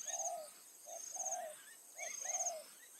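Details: Spotted dove decoy calling in the evening to bring in wild doves. Soft low coos repeat in a rhythm of one short note and one longer slurred note, three times in a row, with high insect buzzing behind.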